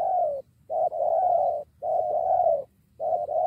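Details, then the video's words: Spotted dove lured toward a rival decoy and ready to fight; very close, loud, drawn-out rough coos, each held over half a second, separated by short breaths. "Burung ini Ajak teman melawan pikat"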